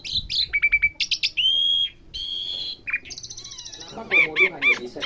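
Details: Asian pied starling learning sounds, with quick chirps, a drawn-out level whistle, a long buzzy band of notes, then a run of rhythmic arched chirps.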